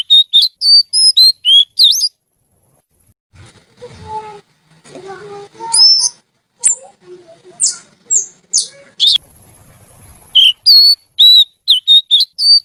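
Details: Lively, melodious oriental magpie-robin (kacer) singing: sharp, high whistled phrases open and close the recording. A stretch of mixed lower chirps, clicks and rustling noises sits between them.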